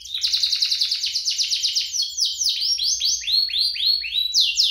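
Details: Canary duet used as a lure to set canaries singing and as a model for young birds: long bright rapid trill running nearly two seconds, then repeated swooping downward whistles growing higher and louder.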